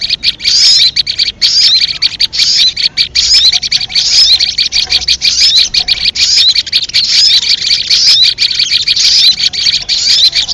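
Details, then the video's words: Ruby-cheeked sunbird (sogon) lure call used for trapping birds: a loud, continuous, dense high-pitched twittering and chattering, with rapid sharp notes running without pause for the full length. "suara pikat sogon paling ampuh"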